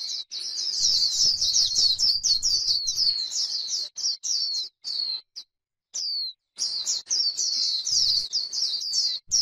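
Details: Líu song of a white-eye in grassland: quick bursts of thin, high chirps and trills, separated by a few pauses, including a longer quiet stretch around the sixth second.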